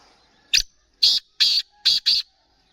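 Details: Sheedi-strain black francolin, known locally as kala teetar, giving its call: a short sharp note followed by four loud, rasping, buzzy notes in a quick rhythmic phrase lasting under two seconds, with a quiet background.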